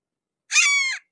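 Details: A single loud, piercing kee-ah from a Red-shouldered hawk at close range, about half a second long, harsh and nasal, holding its pitch before a slight downward slur at the end, in otherwise complete silence.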